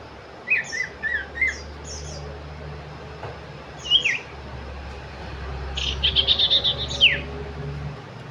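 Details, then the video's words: Sooty-headed bulbul singing: three short whistled notes open the passage, then a single slurred call, and later a rapid buzzy trill ending in a sharp descending whistle. A low hum runs underneath. "sirpu cipow , cipoh , belajar bunyi"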